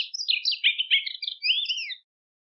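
A Rusty-collared Seedeater sings a rapid two-second warble of varied high chirps and slurred notes, ending in a few clearer falling whistles, with no other sounds.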